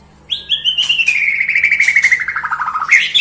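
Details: Melodious white-rumped shama song: a long, smoothly falling whistle overlaid with a rapid trill, ending on a sudden rising note, over a faint low hum.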